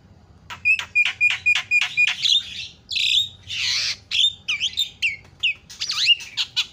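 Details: Javan myna lure recording, played to make other birds call out: a run of sharp, repeated whistled notes, then loud harsh squawks, rising and falling whistles and chattering notes in quick succession, over a faint low hum.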